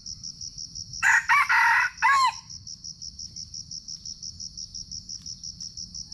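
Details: A wild red junglefowl, possibly in Sumatra, being lured by trappers gives one brief, clipped three-part crow, harsh and rising, over a steady high insect trill pulsing about twice a second.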